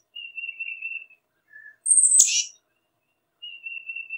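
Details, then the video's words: Thin level whistle from a tufted titmouse, a short soft lower note, then a very high sharp note sliding into a harsh, raspy burst, and another long thin whistle to close. "Tufted Titmouse Calling Sound"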